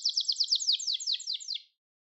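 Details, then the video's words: Short burst of Gloster canary song: one quick, evenly pulsed rolling trill of high notes, slightly slowing, that stops abruptly after under two seconds. "Gloster Kanarya Sesi Ve Ötüşü"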